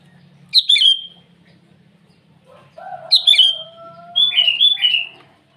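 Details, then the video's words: Early-morning sooty-headed bulbul summoning rivals, three clear phrases of quick falling whistled notes; a lower steady tone and soft background hum sound between the phrases. "Suara burung kutilang memanggil lawan di pagi hari"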